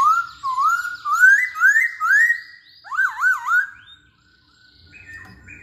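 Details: Masked laughingthrush song serving as a lure for other birds: a rising sequence of clear whistled slurs, then three quick undulating whistles before fading into quiet.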